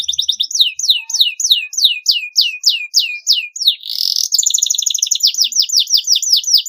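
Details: Canary song played to teach young birds their song: steady series of loud downslurred chirps about three per second, a short buzzy burst, then faster repeated notes.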